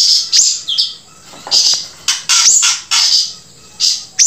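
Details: High, wheezy buzzes from a grey-breasted prinia, each about half a second long and often ending in an upward flick. They are spaced irregularly, with quiet gaps in between.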